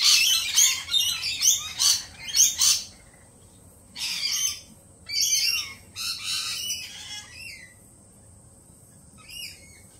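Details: Lorikeets, nervous after a peregrine falcon attack earlier in the week, burst into rapid harsh screeching for a few seconds, then give shorter rasping squawks separated by quiet gaps.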